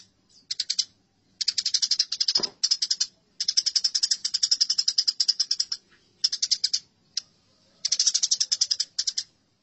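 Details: House sparrows in a fight, from a training recording for songbirds: long runs of rasping, machine-gun chirps alternate with shorter clusters. A brief low thump is heard partway through.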